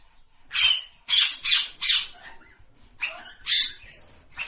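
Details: Parrot calling with loud, harsh, broadband squawks in two bursts, four rasping shrieks about every half second, a pause, then more squawks, in a quiet room.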